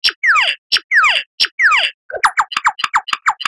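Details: Lyrebird song recorded as a master for cage birds: three loud descending whistled phrases with clicky accents, followed by a rapid string of short, rising and falling whistled notes.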